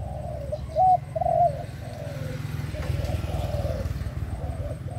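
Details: A caged pigeon gives soft, low, rolling coos in a quick series of short phrases, over a steady low engine-like hum.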